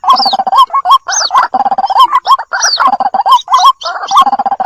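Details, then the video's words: Chicks of the white-breasted waterhen call to their mother in this lure sound: dense, throaty warbling notes that bend upward, mixed with thin rising and falling squeals, almost continuous, with short pauses. "SUARA PIKAT BURUNG RUAK RUAK //SUARA ANAKKAN MEMANGGIL INDUK!!"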